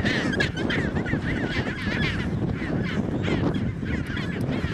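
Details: Chinstrap penguins in Antarctica during mating; a series of harsh, rhythmic honking brays repeating rapidly for several seconds over the din of a busy colony and low wind rumble.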